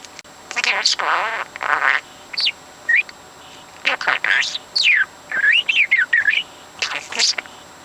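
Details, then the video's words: Young talking parrot, four months old, repeating words and overheard conversations on his own; rapid bursts of speech-like babble mixed with sharp rising and falling whistles and chirps, with short pauses between phrases. "Bird Puts Words Into Sentences on his own"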